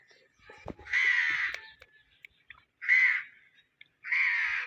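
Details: Parrot calling in three harsh, broad screeches, each about half a second long, separated by short quiet gaps, with faint clicks and a soft thump near the start.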